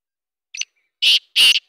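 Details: Black francolin calling in the morning: a short faint note, then two loud harsh buzzy bursts in quick succession, in otherwise quiet surroundings.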